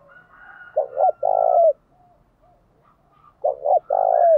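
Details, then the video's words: Spotted dove song meant to rouse rival doves to fight. There are two phrases, each a short two-part stutter leading into a sustained low coo, with a quiet pause between them. "Chim cu gáy thúc đấu giọng hay"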